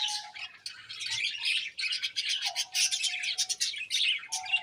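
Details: Budgerigars chirping: dense, scratchy warbling chatter with quick clicks and buzzy notes in bursts, broken by short pauses, with a few lower hums underneath.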